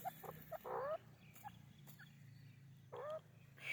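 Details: White partridge (white teetar) calling: short clucking notes, then a burst of rising, curved harsh notes, a pause, and another rising double-toned call, with low background hum and a faint distant whistle.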